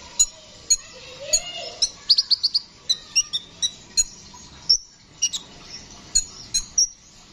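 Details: Brown-throated sunbird ("kolibri ninja") in full song, recorded as training audio for songbirds: a fast, high, chattering song of sharp chips and thin twittering notes, delivered in quick bursts with brief pauses between.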